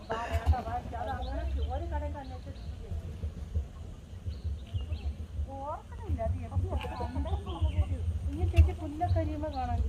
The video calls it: Wild turkey makes sound